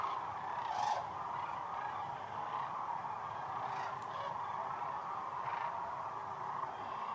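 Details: Sandhill cranes massed along the Platte River during their northern migration peak: a continuous roar of countless rolling calls with no gaps, a few closer bugles rising briefly above it.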